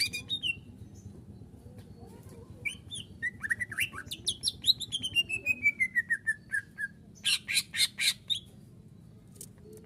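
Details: Greater green leafbird singing full isian for a cage-bird masteran training recording: varied sharp whistles and slurs, a long quick series of notes sliding steadily downward, then loud rapid chattering bursts, over a constant low hum.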